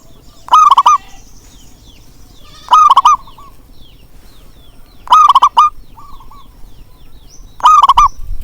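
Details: Four loud, wavering zebra dove coos at steady intervals, meant to prompt quiet doves to sing, with a softer coo between them and light high twitters behind.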